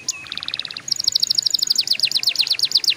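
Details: Canary singing as a prompt to help young canaries sing early: a brief pulsed rattle of evenly spaced notes, followed by a long, rapid string of high chirps that sweep slightly downward.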